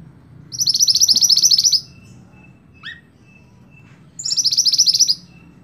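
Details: Scarlet-backed flowerpecker, song meant as tutor material for cage songbirds: two high, rapid ticking trills about three seconds apart, with a short thin down-slurred note between them.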